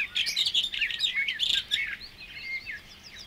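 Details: Barred warbler song, a 1979 field recording from Matsalu's water-meadows and coastal pastures: a rapid, scratchy warble of varied chattering notes that grows quieter after a couple of seconds.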